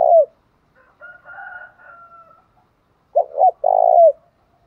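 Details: Spotted dove singing in the thổ pha đồng style: a falling coo, a faint higher drawn tone, then two short coos and a long sustained coo that falls away.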